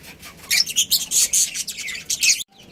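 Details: Pet budgerigar breeding pair chattering in a quick stream of bright, scratchy chirps and warbles that run almost continuously before stopping abruptly.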